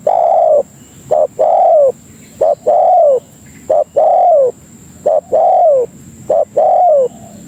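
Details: Spotted dove lure call meant to attract other doves: repeated phrases of a short coo followed by a longer, slightly falling coo, about four phrases, evenly spaced, with a faint steady high electronic tone behind.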